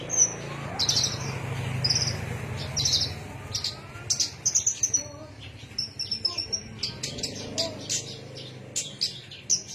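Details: Song of a Javan myna in Cilacap: high whistled phrases and quick chirps, growing denser and more rapid in the second half, over low hum and faint indistinct background sounds.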